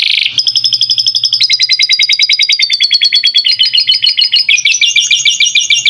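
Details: Canary in a long master recording with lovebird-style fill-ins, for training young birds: a rapid, even trill of about three notes per second that shifts pitch several times, bright and high, with a faint hum underneath.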